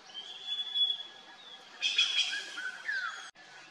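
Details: Red-billed blue magpie near Mussoorie, India, one of a squawking trio feeding on wild pear fruit; a thin whistled note early, then a loud harsh burst near two seconds and a descending whistle after.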